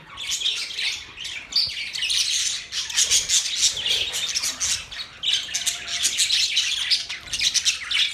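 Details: Budgies keep up a continuous high twittering and squawking chatter in waves, with brief pauses near three and five seconds.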